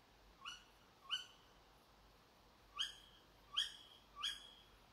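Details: At 4 a.m. behind a house, a Tawny owl repeats a sharp, high upslurred call five times at uneven intervals of roughly half a second to a second and a half.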